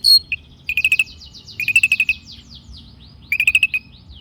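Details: Lively Long-tailed shrike lure song: a high thin whistle, then three bursts of fast stuttering chatter separated by faint, sweeping twittered notes.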